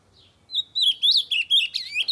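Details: Singing loudly to stimulate other birds to sing, an ultramarine grosbeak gives a faint opening note, then a fast series of clear, wavering whistles that rise and fall over about one and a half seconds.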